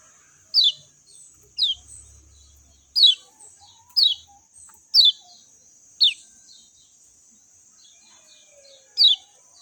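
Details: Loud, clean descending whistles from a lemon-bellied white-eye, repeated roughly once per second with a longer pause before the last, against a constant high hiss.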